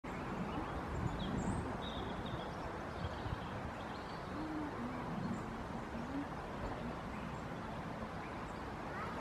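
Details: Eurasian collared dove (Streptopelia decaocto) in Parque Urbano da Ribeira dos Mochos in 2021 gives soft, low, hollow coos in a short repeated phrase, half-buried under steady rumbling, with a few faint high chirps from other birds.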